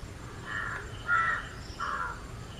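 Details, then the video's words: Indian grey hornbill, likely a pair, gives three harsh, squealing notes about half a second apart, the middle one loudest, over a low background rumble; Indian subcontinent species known for squealing perched calls. "Indian grey hornbill call"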